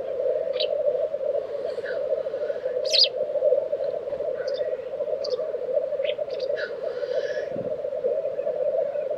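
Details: At a Swedish lek in Tiveden, April 2023, black grouse keep up an unbroken, low bubbling drone. Scattered short high chirps and whistles from other birds dot the background.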